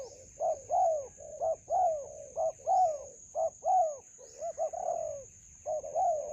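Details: During trapping with a decoy in a melaleuca garden, a spotted dove coos in choppy sequences of short notes and longer arched ones, about one a second, with a persistent high electronic whine.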